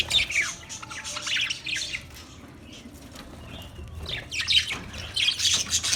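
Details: Budgie singing on 14 March 2024, with rapid scratchy warbles and chirps in a dense burst at the start, a quieter gap, then another chattering run toward the end; low background hum throughout.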